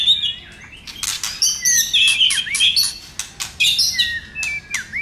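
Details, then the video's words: Excited white-rumped shama with a flicking tail, singing a lively provoking song of varied whistles, some clear and rising, some falling, broken by dense harsh click bursts throughout. "Chòe Lửa Tạch Kích Chòe lửa hót"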